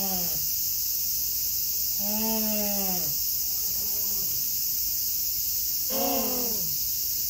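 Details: Humboldt penguins at Yokohama Zoo Zoorasia, Kanagawa, Japan, on 24 August 2022, relaxing in their enclosure; three harsh, nasal braying calls with strong harmonic bands, the longest about a second, over a steady high insect drone.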